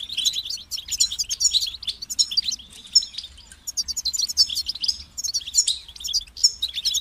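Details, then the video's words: Motivating song of a European goldfinch, given to stimulate singing: a nearly continuous, fast stream of high, bright twittering notes and buzzy trills, rising and falling in rapid clusters. "Highlighting motivating songs for creative goldfinches in simple ways"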